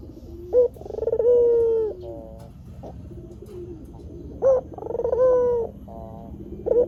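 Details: Barbary dove (white puter) used as a lure for wild doves, cooing twice: a short high note, a rapid stuttered roll, then a long steady drawn-out coo that falls slightly at the end, with a faint low hum beneath.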